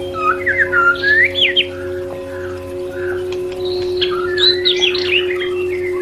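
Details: Shama song as calming audio for stressed birds: a burst of twisting whistled notes, a pause with faint clicks, then higher tangled whistles, all over a steady electrical drone.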